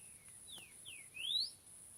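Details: Rufous-bellied thrush in nature, heard more distantly: a few soft whistled slurs falling in pitch, then a louder rising whistle, against a constant faint high hiss.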